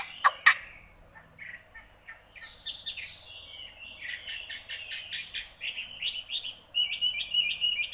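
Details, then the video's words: Hwamei song opening with two loud sharp notes, then a varied string of quick chattering and whistled phrases that grows louder and ends in clear repeated whistles. "Họa mi"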